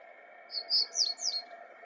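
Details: Common reed bunting singing early in the morning in April 2020: a short phrase of four high, clipped notes, the last two buzzier and falling, over a steady low background hum.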